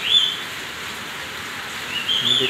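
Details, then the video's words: Pet rose-ringed parakeet whistling: one short high whistled note at the start and another just before the end, separated by steady background hiss. "talking| king of |magical |ringneck parrot |amazing| ringneck| talking"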